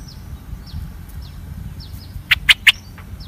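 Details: Newly hatched bulbul chicks on their first day, fed by their mother: faint thin calls, then three loud, sharp, broadband chirps in quick succession near the end, over a low rural background hum.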